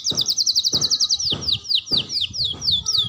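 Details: Young canary learning to sing: rapid trill of high notes, then a series of descending swooping whistles repeated about every half second, with soft low thumps underneath.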